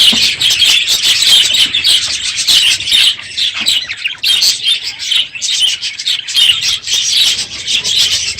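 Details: Numerous aviary budgerigars in a noisy morning chorus at the close of the breeding season; high twittering and squawks pulse in bursts with brief lulls.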